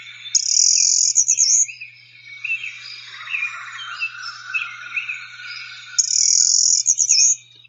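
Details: Golden-winged Warbler type 2 song, a variable and less common song type, played from a field-guide app: a high, buzzy trill opens and closes the phrase, with a jumble of lower stuttering chips between.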